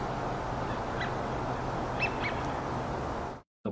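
Faint, short nocturnal flight calls from a Eurasian Wigeon, a quick pair with the second a touch lower, over steady broadband hiss before a brief cut.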